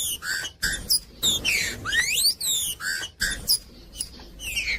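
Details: Green-winged saltator singing to warm up a cold bird and train young birds: loud clear whistled phrases with rising and falling sweeps, separated by short gaps, mostly high-pitched, with a faint low background hum.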